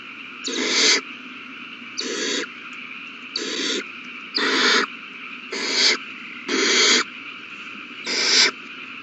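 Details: Begging owl chicks during feeding at their nest, March 27, 2020, all babies eating well: steady series of seven harsh hissing screeches, each about half a second, spaced roughly every second.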